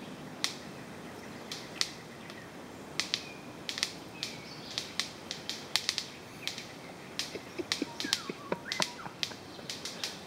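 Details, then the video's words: Orange-collared manakin at a courtship dance with a female present: sharp, dry snaps crack out irregularly, often in quick pairs or short bursts, about two dozen over ten seconds, with faint thin whistles of other birds and steady forest hiss behind. "Orange-collared Manakin Dance"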